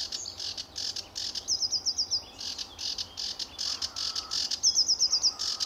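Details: Early morning song of a lively sedge warbler at RSPB Fowlmere in July 2013: scratchy, churring bursts broken by quick trills of tinkling repeated notes, two such trills heard.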